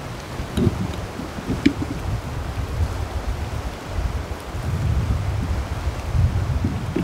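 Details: Gusting wind and low rushing noise like surf, with a few faint knocks and no clear animal calls.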